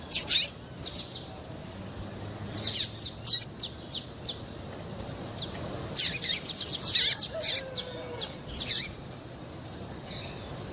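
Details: Female double-collared seedeater giving excited high chirps, meant to make males sing for tournaments: clustered bursts of sharp notes at intervals, some slurred, separated by brief quieter gaps.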